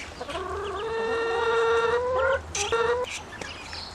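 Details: Hungry grown ducklings give a long, steady, reedy whistle lasting over a second that rises slightly at the end. A shorter second note follows, with faint peeps around it.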